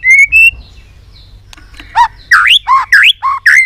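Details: White-rumped shama, tail-flicking and singing very excitedly in varied voices. Two clear whistles, a quiet gap with a click, then six loud looping notes that swoop down and back up, evenly spaced.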